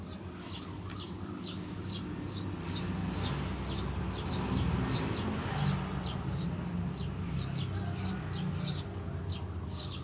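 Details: Sparrow chirping in the 'ngriwik' style, recorded as a master for training songbirds. Short high chirps repeat rapidly and irregularly, about three per second, over a constant low rumbling background.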